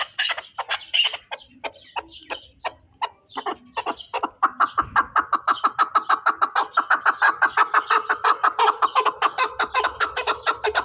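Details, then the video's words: Pamir chukar partridge: scattered sharp clucks that build into a fast, steady run of rhythmic chuk notes, growing louder and more regular toward the end. "Кабки Помир"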